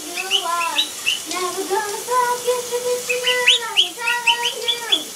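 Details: A blue Quaker (monk) parakeet whistles the "Gitchi Gitchi Goo" song from Phineas and Ferb, copying it with clear, sliding, melodic notes; finding: Monk parakeet.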